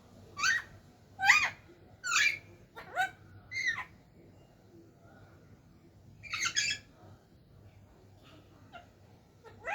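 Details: Talking parrot producing several short raspy voice-like squawks in bursts, a pause, then another burst.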